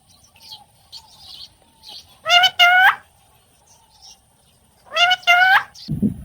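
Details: Pet ringneck parrots courting: two loud, harsh, rasping screeches about three seconds apart, each a rich, grating double note, with soft chattering and quiet room sounds between them and a low thump at the end.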